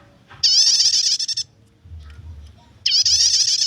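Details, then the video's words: Rapid high-pitched chatter from a prinia in nyetater style, intended to lure birds or train songbirds; two bursts of quick, ringing repeated notes about two and a half seconds apart, faint murmur underneath. "suara prenjak nyetater, cocok buat pikat/masteran burung gacoannya"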